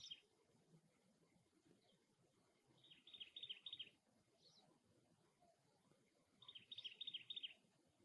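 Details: Fairly faint cactus wren call near its nest: two rasping bouts of quick repeated notes a few seconds apart, with a few thin high chips from another bird.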